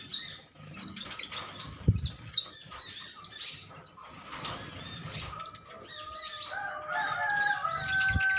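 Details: Sunbirds of a greenish metallic colony trading calls: a long run of high, rapid overlapping chirps, some clicking, later mixed with lower drawn-out whistles.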